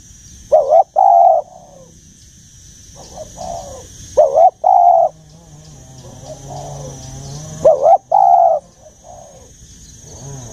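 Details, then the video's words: Spotted dove, mature forest-style voice, repeating its coo: a short clipped note followed by a longer smooth note, with softer trailing coos, the phrase returning roughly every three and a half seconds over a low background hum. "Tiếng Chim Cu, âm giọng già rừng sát bổi"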